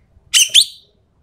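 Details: Sumatran treepie, an endemic Sumatran bird, used as a tutor and lure recording. A single brief, rasping two-part call with a harsh first note and a sharper, downslurred second note, then silence.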